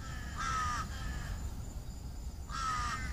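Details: Evening crows on top of trees near their nests before nightfall: two short harsh caws about two seconds apart over a quiet low background hum.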